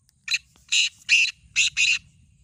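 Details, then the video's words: Black francolin in a two-bird voice contest, calling a loud, harsh, rasping phrase of five scratchy notes, the middle ones longer and stronger, spread over about two seconds against quiet low background noise. "Black Teetar Voice"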